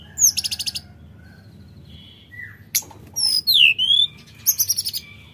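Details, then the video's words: Sooty-headed bulbul singing actively, with quick bursts of high ticking notes, a downslurred whistle, a sharp crack, then swooping slurred whistles and a final rapid ticking series over a faint low hum. "Tledekan Gunung Gacor Dor Gada Obat"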